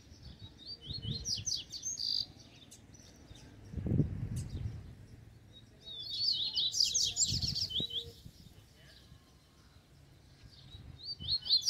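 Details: Wild double-collared seedeater drawn toward a caged bird, singing bursts of quick, high, slurred chirps and warbled notes; man talking softly and low rumbling background noise between phrases.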